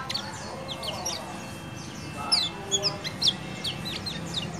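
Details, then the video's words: Yellow white-eye (kecial kuning) 'ciak ciak' calls, played as a lure and night-time training recording to make a quiet captive bird sing; short, high, sharp chirps with downward strokes, irregular, over steady crackling hiss. "Ciak Ciak JOS Kecial Kuning Ampuh Untuk Masteran"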